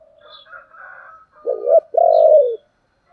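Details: Spotted dove in the 'giọng thổ' voice style, giving urging and calling coos: soft, low murmured notes first, then two loud, deep, hoarse coos, each about half a second long, close together near the end.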